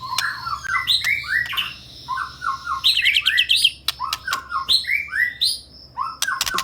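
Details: ['Medan-type white-rumped shama singing vigorously and delivering its full repertoire: repeated rich slurred whistles rising and falling, a quick buzzy trill in the middle, and scattered sharp clicks over a faint hum.']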